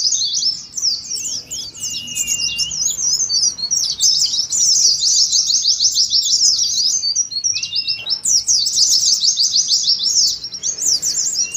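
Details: Many Oriental white-eyes in a simulated contest sing ngeriwik, an unbroken stream of very rapid, high, trilling chirps that swells in the middle. Short pauses fall near two and eight seconds.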